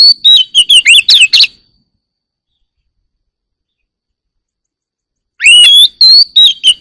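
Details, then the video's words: Oriental magpie-robin singing in the morning: a burst of clear, varied whistles and sharp chirps, then a long silence, then another rapid phrase of rising and falling whistled notes. "Chòe than hót múa"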